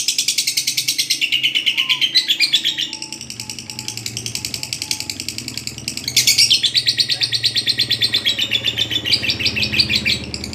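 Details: Lovebird training recording of the long ngekek chatter: rapid shrill buzzy notes that fall in pitch, fade briefly around three to five seconds, then burst back loud and high and keep chattering fast.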